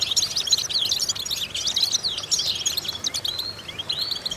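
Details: Goldfinch singing for vocal training of other goldfinches: quick, varied liquid twitters and sliding chirps run together in a bright, rapid, high-pitched phrase, softening near the end.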